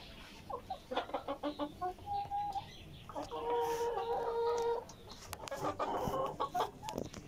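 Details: Several Tiger chickens eating vegetables give rapid stacked clucks, a brief whine, then a long level droning call lasting over a second, with clicks of pecking and more clucking afterwards.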